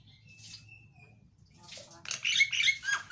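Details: Javan myna singing loudly as a lure for a silent bird. A thin, level whistle comes first, then a dense cluster of harsh, buzzy notes mixed with short sliding whistles near the end.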